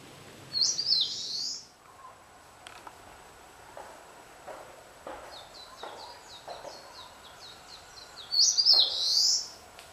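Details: An Eastern crowned warbler sings two loud, high, buzzy phrases about eight seconds apart, with a faint series of thin high notes between them, over a quiet background hiss.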